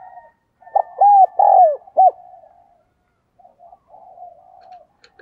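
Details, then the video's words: Spotted dove used as a decoy bird, calling: a few soft low coos followed by loud arched hooting notes in quick succession, then quieter trailing coos. "cu gáy, chim cu mồi gáy gọi"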